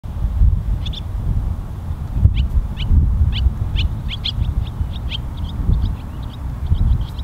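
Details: Barn swallows at Pease Tradeport, New Hampshire: a run of short, sharp chirps, about two per second, growing quicker and more crowded toward the end, over a steady low rumble of wind or distant traffic.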